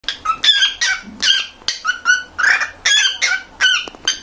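A male cockatiel sings a quick run of bright, chattering whistles with warbled notes mixed in.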